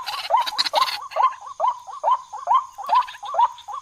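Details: White-breasted waterhen call used as a hunting lure: a rapid run of hoarse, croaking notes at roughly two or three per second, with clicking, rustling noise bursts near the start and a faint high steady hum.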